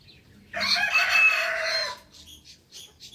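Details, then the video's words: Rooster crowing in the morning: a loud, hoarse crow of about one and a half seconds that rises and then trails off, followed by faint high chirps of small birds. "rooster crowing sound effect"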